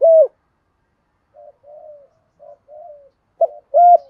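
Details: Decoy spotted dove cooing in the "giọng thổ" voice style: a loud low coo, then a soft series of short, slightly falling coos, ending with two more loud coos, in an otherwise quiet setting.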